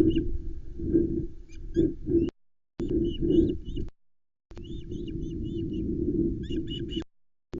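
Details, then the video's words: Osprey alarm calls from a nest-camera at Loch Arkaig in July 2020 as the female reacts to an intruder near her chicks. Clusters of thin, high chirps come in bursts, nearly buried under loud, steady low wind noise with short silent gaps. "the Loch Arkaig Osprey is reacting to an intruder"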